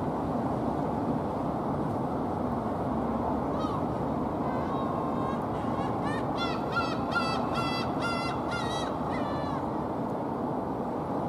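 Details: Black-tailed gulls near a home in Yokohama, Kanagawa, Japan, on 8 August 2015 give a burst of nasal, mewing, cat-like calls in quick succession over a steady roar of surf or wind.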